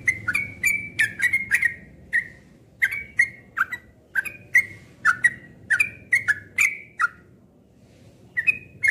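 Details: Cream-vented bulbul in steady chattering song: clipped, slightly rising and falling notes tumbling in close clusters, with a brief pause near the end before the phrases resume; soft low background rumble.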